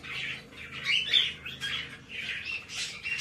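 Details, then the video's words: Hand-tame male White-bellied caique chick in Fukuoka, Japan, recorded 17 May 2024, giving harsh raspy squawks in uneven bursts, some short and grating, others drawn out, in a quiet indoor room. "シロハラインコ ヒナ 手乗り ♂"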